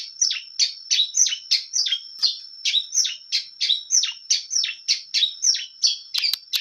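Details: Long-tailed shrike in full, clear song: a steady series of high, downward-sweeping scratchy notes delivered about three a second, energetic and unbroken, ending with a few sharp clicks.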